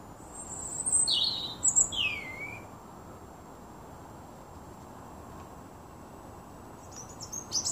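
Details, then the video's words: Young male common blackbird singing to win a mate and territory gives a brief burst of high, squeaky, down-slurred twittering notes, then faint high notes near the end, over steady low hiss. "Blackbird Song"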